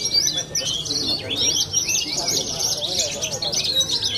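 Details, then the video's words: Rapid, high-pitched bushlark song from a young Cilacap contest bird, with swooping slurred notes running into a dense warbling stream, with faint low background chatter. "BRANJANGAN MUDA MENTAL JUARA"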